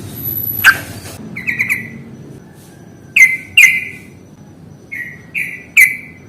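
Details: Sooty-headed bulbul song used as a lure to prompt birds that are lazy to sing: short bubbly notes repeated in clusters with gaps, plus a brief sharp click early on and faint low background hum.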